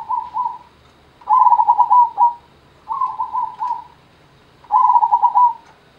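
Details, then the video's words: Gendowo Sabdo type zebra dove in steady song: four phrases of quick, rolling, trilled coos, each lasting about a second, repeated every one to two seconds over a quiet low hum. "Perkutut Gendowo Sabdo"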